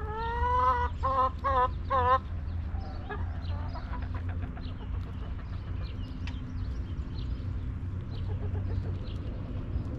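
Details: Backyard chickens in their coop, a hen's run of four or five strong, wavering harmonic clucks in the first two seconds, then quieter scattered clucks and clicks over low steady background rumble.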